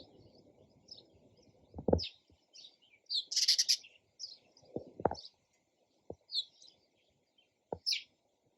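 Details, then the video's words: Sparrow chirping: scattered high chirps, a denser twittering burst near the middle, and several low knocking thumps breaking in between the calls. "SOUND OF SPARROW RELAXING CHIRPING SOUND."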